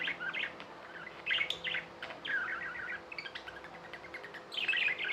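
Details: Pet budgerigars chirping and warbling: bursts of rapid, scratchy chatter mixed with short bright tweets, with quiet gaps between phrases and clicks from the cage; faint steady hum behind.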